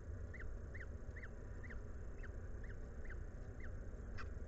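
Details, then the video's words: Wild peregrine falcons at an urban nest in Włocławek, Poland, during a feeding on 17 May 2022 around 14:56; rhythmic hooked chip notes, roughly two per second, above heavy low-frequency machinery drone. "Włocławek Anwil sokół wędrowny - 14:56 Obiad podany przez Iskierkę"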